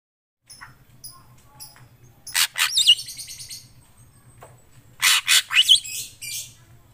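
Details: Black drongo song, described as gacor, meaning lively and continuous: harsh broadband bursts with high whistled upward notes in two clusters, separated by quiet gaps, over a low steady hum.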